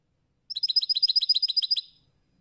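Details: European goldfinch giving a quick burst of about fourteen bright, tinkling twittered notes packed into just over a second, evenly spaced and fading away at the end, against a silent background.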